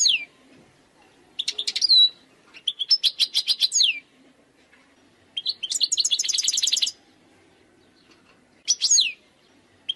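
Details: Wild European goldfinch singing lively runs of rapid, tinkling chips and buzzy trills, broken into several phrases with short pauses, some ending in downward slurs.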